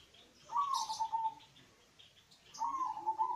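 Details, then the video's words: A local zebra dove, used as a lure call to prompt other doves to sing, gives two soft, mid-pitched cooing phrases, each about a second long and slightly falling, roughly two seconds apart, over faint high hiss. "pancingan Suara perkutut lokal"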